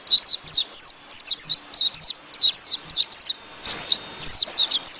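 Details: White-eye giving a flock-gathering call, used as a trapping lure: a rapid run of thin, high chirps, several per second, with one louder, harsh burst near the end.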